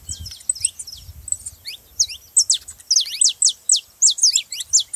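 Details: Saffron finch song for prompting canaries to sing: softer scattered high notes at first, building into loud, evenly spaced falling chirps about two per second, over faint low noise.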